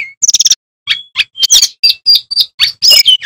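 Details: Energetic high-pitched song of a male bamboo flycatcher used as a training model: fast trills, sharp chips and short whistles delivered almost without pause.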